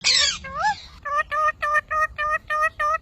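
A parrot opens with two harsh, swooping squawks, then gives seven quick, evenly spaced nasal syllables in a rhythmic, speech-like chant.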